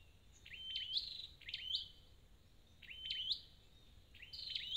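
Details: A wild-caught red-headed flowerpecker repeats a bright, high chirp that flicks down and up, then holds a sustained thin whistle. Four phrases are spaced about a second apart.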